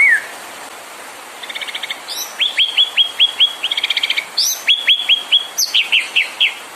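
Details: ['Provocation song of a white-rumped shama: soft rapid trills, then a string of high downslurred whistles at a steady pace, broken by sharp high chips and buzzy note bursts.']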